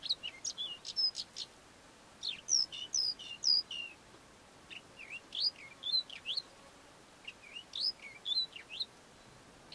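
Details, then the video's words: Southern African lark giving bright, sharp chirps and slurred whistled notes in rapid clusters of several notes, the bursts repeating across the recording against a quiet background. "10 lark calls from Southern Africa"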